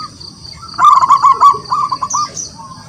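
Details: Wild local zebra dove singing actively, calling rivals to answer: a quick burst of low, rolling staccato coos running for about one and a half seconds. A faint high thin whistle from another bird sounds throughout.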